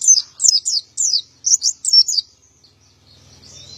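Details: Energetic male white-eye ('gacor', 'ngalas ngeplong' style) delivering a short run of about eight high, squeaky, downslurred chirps, then quieter twittering fading out.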